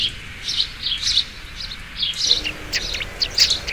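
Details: Sparrow chirps coming in small irregular clusters, high and slightly buzzy, growing busier toward the end over a low background noise.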